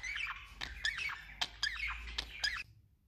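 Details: Male budgerigar warbling: scratchy, chattering chirps and squeaks in an uneven string against a steady low background hum, ending abruptly.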